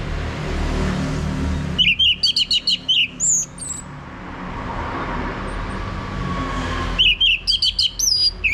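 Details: Orange-headed thrush male giving ngeplong song to prompt another male: a burst of rapid high whistled notes, then a long gap of steady background noise, then another fast whistled burst near the end.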